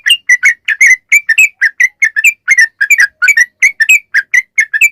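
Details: Sooty-headed bulbul (trucukan) in full chattering song, played to lure other bulbuls into answering: a rapid run of short bubbly notes with strong harmonics, about four per second, repeated steadily without pause.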